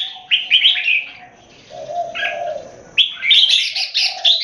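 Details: Caged red-whiskered bulbuls competing in song: lively warbled phrases, a quieter lower hum between bursts, then a sudden loud rapid string of bright chattering notes.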